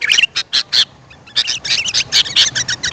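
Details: Sooty-headed bulbul, played to attract wild birds: a few scratchy chattering notes, a short pause, then a busy run of chatter with twisting whistled phrases.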